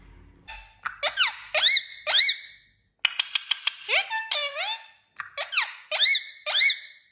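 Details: Talking parrot producing repeated squeaky, swooping syllables in bursts, separated by brief silences, with a run of fast clicks and one long whistle that drops and then rises.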